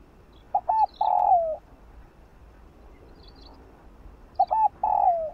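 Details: Two repeats of a spotted dove's morning song, used to urge newly caught doves to sing: each begins with two quick notes and ends in a long coo sloping downward, about four seconds apart.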